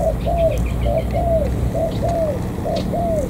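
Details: Spotted dove, wild-caught near the An Giang border gate, Vietnam, giving rhythmic paired coos, a short note then a long arched one, about once a second, with faint high chirps from other birds.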